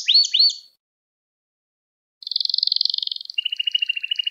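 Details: Canary singing in a recording meant to teach young canaries: two quick sweeping notes, a silent gap of over a second, then a dense high rattle dropping into a steady lower pulsed trill.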